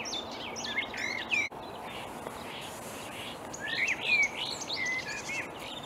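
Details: Marsh warbler singing in reeds early on a May morning in 2020 at Upplands Väsby, Sweden; rapid run of varied chattering, whistled and slurred notes, pausing near the middle before another burst of fast, jumbled phrases.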